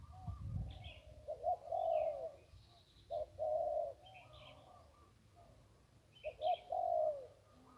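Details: Zebra dove, a wild bird found along the Ping River, gives melodious cooing phrases: a short stutter leading into a warbling, even coo, three phrases over eight seconds with faint high chirps from other birds.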